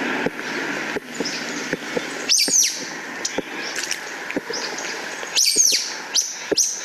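Sulphur-bellied Flycatcher giving loud, squeaky, high-pitched calls like a dog's squeeze toy, in two bursts a few seconds apart, over steady background hiss and faint clicks.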